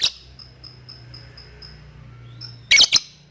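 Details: Lovebird giving ngetik ticks to call a rival and prompt ngekek from young birds; faint evenly spaced high pips, a short rising note, then a loud harsh double burst near the close.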